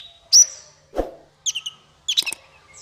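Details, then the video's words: Master recording for small fighter birds: a loud, sharp, high whistle, a dull low knock, then two quick bursts of high twittering chirps. "Masteran paling merdu untuk burung faigter kecil"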